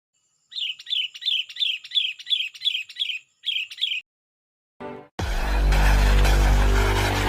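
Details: Sooty-headed bulbul calling rivals, with other bulbuls answering. A clear, bubbly note repeats steadily about every third of a second for several seconds, then loud, harsh, distorted noise takes over.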